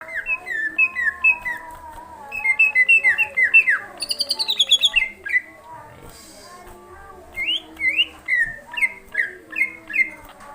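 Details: Greater green leafbird singing at night in an agitated, high-spirited burst: rapid series of short downslurred whistles near one pitch, then a bright high buzzy trill, a pause, and more clipped whistled notes repeated about twice per second.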